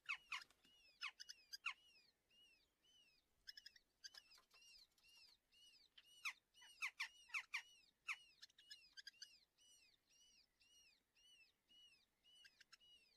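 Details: Red-footed falcon chicks at breakfast feeding, filmed by a nest webcam in a breeding colony near Polgár, Hungary, June 2024. Rapid series of high, arched, squealing calls, some rising and falling, mixed with sharp clicking and rustling bursts.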